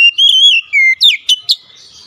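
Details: Oriental magpie-robin song used as a lure to get quiet birds singing: a clear sustained whistle, a lower slurred note, then sharp rising and falling whistled phrases.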